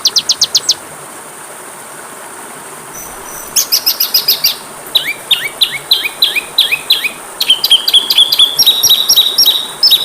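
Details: Varied kacer (Oriental magpie-robin) song used to train caged birds: brief note run, a silent gap, then bright stuttering phrases, downslurred chips and rapid high trills building toward the end.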